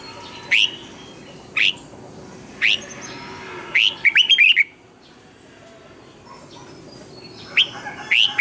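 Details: Red-whiskered bulbul morning training song. Sharp single notes come about once a second and lead into a fast, rolling string of twisting whistles. After a pause, a few more clipped notes end the clip.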